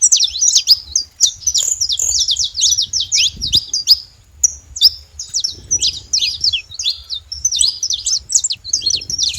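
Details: Free saffron finches in natural surroundings sing a busy chorus of piercing short chips and zigzag whistled notes, nearly unbroken, with a brief dull thump and low hum behind.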